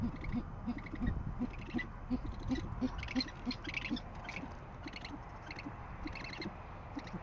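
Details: Nest camera in Oklahoma City at dawn, 6:40am, 10 February 2014: great horned owl pair at the nest during a food delivery by the male. Quiet, deep hoots in a fast, uneven stutter, about three per second, beside higher chirping notes.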